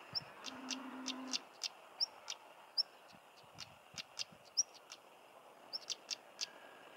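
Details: Stonechat in Cornwall, England: sharp, dry clicking notes repeated roughly every half second, interspersed with brief thin high whistles; a short low steady hum sounds early on against a quiet background.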